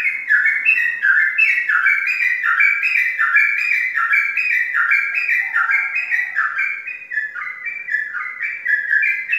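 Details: Caged Sooty-headed bulbul, a prize-winning Indonesian competition bird, sings a long run of rich, warbling phrases. Short notes bounce up and down, repeated more than once a second without pause.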